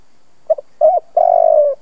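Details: Spotted dove decoy bird, old and used to set other doves cooing, opens with a quick double note and a short coo, then holds a long purring coo that sinks slightly in pitch.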